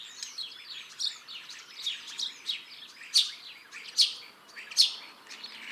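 Common Starling singing a busy, rambling medley of squeaky chirps, clicks and sharp rising whistles, with louder whistles standing out about once a second.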